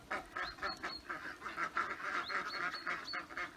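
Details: Domestic ducks, let out of their duck hut in the morning and eager to get back into their burn, quack in a busy, overlapping chorus of short, nasal calls.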